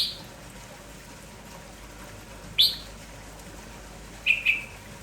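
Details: Red-whiskered bulbul, merbah jambul kampong type, lively in the morning and sounding nonstop. Scattered short bright notes, with a sharp chirp midway and a quick doubled whistle near the end, over steady hiss.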